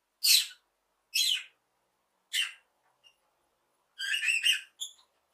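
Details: Cheerful lovebird chirping: three separate shrill, raspy chirps about a second apart, then a fast, warbling run of ringing notes and a final short chirp.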